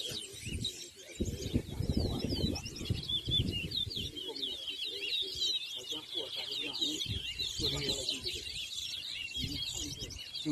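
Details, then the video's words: Large-billed seed-finch (towa towa) singing during a bird race at Anna Regina park, Essequibo, Guyana, 2023: long unbroken run of sharp, looping whistled notes over softer background voices. "TOWA TOWA BIRD RACE"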